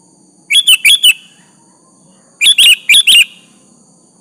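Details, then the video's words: Sooty-headed bulbul in lively song used as a lure to call a rival into answering; bright bubbly whistled phrases of three to four quick notes, given in two bursts about two seconds apart, with faint low background hum. "Suara Burung kutilang Gacor memanggil lawan Pancingan kutilang agar bunyi nyaut"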